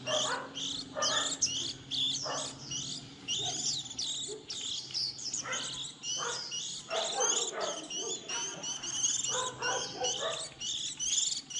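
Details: Recording of young white-eyes at the start of the 2020 season, meant as a lure for trapping: a constant chorus of sharp high twittering notes from several birds, broken by short buzzy lower bursts.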